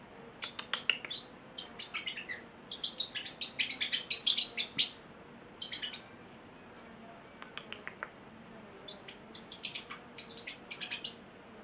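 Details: Pet male Celestial Parrotlet aged eight weeks chattering in a small room, mixing thin ticking notes with louder, denser buzzy chirp bursts in irregular phrases across nearly twelve seconds.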